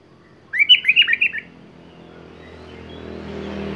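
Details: Sooty-headed bulbul singing eagerly, showing off varied filler phrases (isian): one brief burst of about six quick, warbling, slurred notes lasting under a second, then a steadily rising wash of background noise.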